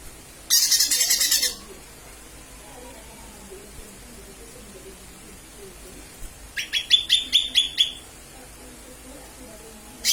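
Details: Lure recording of a calling lesser green leafbird: a one-second harsh rasping chatter, a pause, then a rapid series of about ten sharp high chirps, and another burst at the end.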